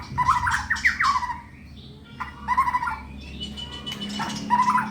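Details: White-rumped shama kept caged in Indonesia for song contests, giving repeated harsh rising squawky phrases in short bursts with pauses between, over a low background hum.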